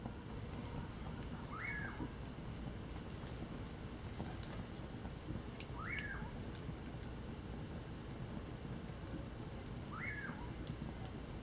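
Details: Common pauraque repeating its whistled song three times, about four seconds apart, each note sweeping up then sliding down. Winter setting with a campfire snapping and crickets trilling continuously in the background.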